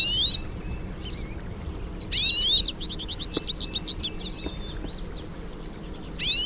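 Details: Hooded siskins, several birds, singing in nature: loud high rising whistled notes open and close the passage, with a rapid burst of twittering trills and chirps in between.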